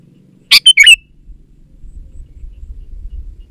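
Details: Sooty-headed bulbul, used to lure wild birds and prompt quiet bulbuls to sing, giving a single brisk phrase: a sharp opening burst and two quick liquid, slurred notes, followed by soft low background rumble.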